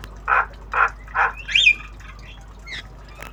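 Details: Tame black-winged starling (jalak kebo) practising sounds in obyogan style: three harsh, evenly spaced squawks, then a higher whistled note and a few faint chirps.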